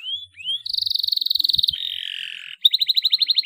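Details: Canary in energetic 'gacor' song, used as a lure to get untrained canaries singing: two rising whistles, then a long rapid buzzy trill, a lower rasping rattle, and a burst of quick pulsed notes, with faint low thumps beneath.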